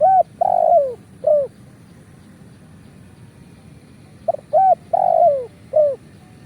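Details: Repeated spotted dove phrase used as a trapping lure in Indonesia: short coo, long falling purr, brief end note, the pattern heard twice with a silent gap of about three seconds between.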